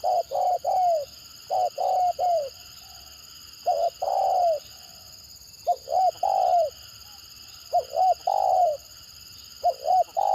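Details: Spotted dove with a 'gagap' or stuttering delivery, repeating broken phrases of quick clipped coos ending in a long downward-sliding note, roughly every two seconds, over a steady tonal hum.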